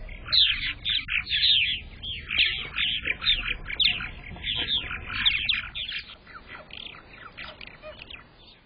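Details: Purple martins at their nest during egg laying, May 15, 2022, when the first egg of the season appeared; continuous rich gurgling, warbling chatter of rapid rising and falling notes, fading toward the end.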